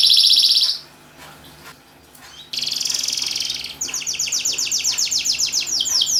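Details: Canary song to prompt silent canaries: a loud buzzy burst, a quiet pause, then a rolling trill and a run of rapid repeated chirped notes.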